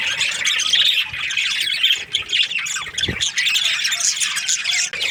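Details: Breeding pairs of budgerigars, an Australian parrot, fill the air with busy high-pitched chirping and scratchy squawks, many birds calling at once. A brief low thump is heard near the middle.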